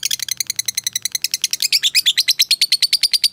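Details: Lovebird fighter calling a rival: quick, scratchy notes that speed up and settle into a fast, even chatter of harsh calls.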